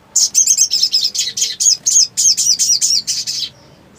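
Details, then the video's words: Black sunbird song, a rapid string of about fourteen high, thin, buzzy chirps packed close together, each a short sharp note, running steadily for over three seconds before stopping. "SOGON GACOR BIRAHI TERAPI MACET !! FULL NGLEPER PALING AMPUH"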